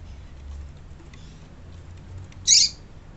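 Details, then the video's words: A female Double-collared Seedeater (coleiro) gives a single sharp, high chip near the end, with a few faint high ticks before it over a quiet low hum; the call is used to stimulate male birds. "Piado de Fêmea de Coleiro para Esquentar Coleiro tui tui"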